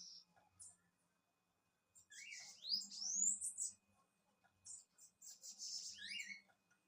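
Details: Bananaquit singing: two high, thin, hissing bursts of rapid squeaky notes with quick upslurred and downslurred sweeps, separated by a short pause, over a faint low hum.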